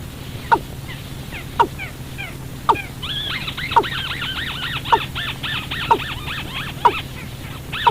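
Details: Watercock call used as a night-time trapping lure: strong, abrupt descending notes about once a second, joined midway by a dense run of arched, bouncing calls that fill the background, over a low hum.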